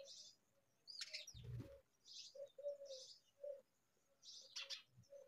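A young myna gives harsh, raspy begging bursts twice, about three seconds apart, over a steady low hum and a soft thump.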